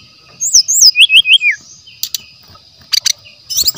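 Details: Lure and tutor recording of a wild brown-chested jungle flycatcher singing: looping whistled slurs stepping downward in quick succession. Short scratchy bursts follow, over a constant thin high hum.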